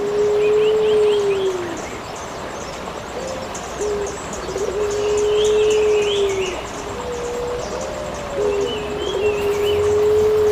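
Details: Eurasian collared dove, recorded as a tutor recording for songbirds, gives long, steady, low coos, each drawn out nearly two seconds with a slight fall at the end; faint high chirps of other birds in the background.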